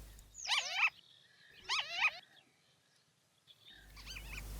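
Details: Male white-tailed lapwing (Vanellus leucurus) standing near water in semi-desert by Kyzylagach National Park, Azerbaijan, about 25 days after arriving in late April, giving loud, monotonous, strident alarm calls warning of a nearby jackal: shrill wavering bursts about a second apart.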